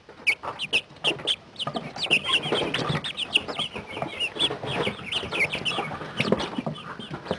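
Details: Chickens forty days old, kept together in a pallet brooder during their last week before moving to the coop: many overlapping high, short peeps and chirps, some rising, with soft clucks and scratching sounds.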